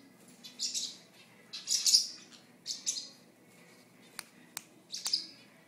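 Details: A female sun conure makes a few sharp, dry beak clicks between soft, hissy bursts of rustling while tearing up a napkin.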